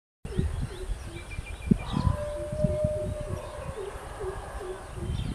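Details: Hoopoe giving soft, low, hollow hoots repeated in a steady series, with one longer, steady tone partway through, faint higher bird notes and a constant low rumble in the background.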